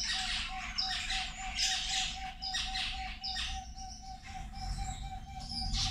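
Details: Zebra finches at their lunch give repeated nasal, trumpet-like beeps roughly once a second among softer chatter. A steady pulsing mechanical tone and low background rumble run throughout.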